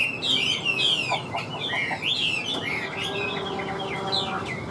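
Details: Chinese hwamei, a wild-caught forest bird, singing loudly in the tense hót hét style. Fast, varied phrases of high whistled slurs and warbling notes pour out without pause against a constant low hum.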